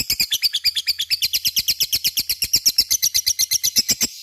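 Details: Lovebird ngekek meant to make other lovebirds respond: a brisk, regular rattle of harsh, buzzy notes, around seven per second, continuing for four seconds before ending sharply.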